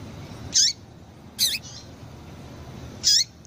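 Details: Calls of a female double-collared seedeater played to stimulate males: three sharp high chirps in under three seconds, each with a downward-sweeping lower harmonic, against a quiet steady hiss.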